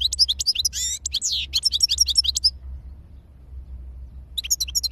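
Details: Bright, rapid twittering song of a European goldfinch, with some buzzy rasping notes. After a silent pause a new burst of high chirps starts, all over a constant low hum.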